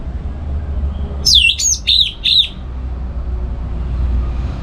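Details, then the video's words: Morning song of a home-kept orange-headed thrush in North Bali, used to lure and train other birds. A single quick phrase of four high, falling, slurred whistles, over steady low rumble. "Pagi Hari Hari ANIS MERAH Ngeplong Gacor Untuk Pancingan & Masteran Burung Dirumah"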